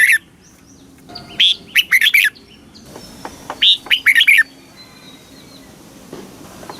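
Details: Thai red-whiskered bulbul singing a southern master-phrase song meant to rouse caged birds and teach youngsters; two bouncy bursts of bright chirping notes separated by a pause, with faint background hiss.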